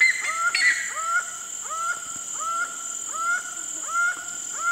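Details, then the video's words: Laughing falcon (acauã), wild bird found throughout Brazil; a series of rising, hooked calls repeated about every half second with harmonic overtones, a steady high whine over the background and a brief sharper noise near the start. "O ACAUÃ e seu CANTO MISTERIOSO (HERPETOTHERES CACHINNANS) LAUGHING FALCON"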